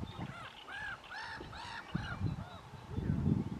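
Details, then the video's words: A common tern of a pair at their nest by Trakai Castle near Vilnius, Lithuania, on 4 June 2022 gives about six harsh, arched, nasal calls in quick succession, roughly two per second, over low wind rumble. "VISDIEF (COMMON TERN)"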